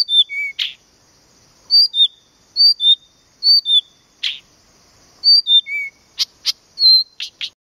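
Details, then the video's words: Blyth's reed warbler recorded at Planta, Podlaskie, Poland: paired and tripled whistled notes stepping downward, repeated with pauses and broken by harsh buzzy calls, with little background noise. "zaroślówka (Acrocephalus dumetorum),Planta, woj.podlaskie"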